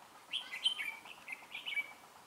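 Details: Red-whiskered bulbul used as a singing decoy to trap rivals; a lively run of warbled, whistled notes rising and falling, several quick phrases in close succession.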